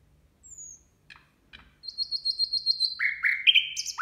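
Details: Nightingale singing at New Year: a thin descending whistle and soft ticks, then a rapid run of identical high notes repeated about eight times, ending in loud rising slurred whistles.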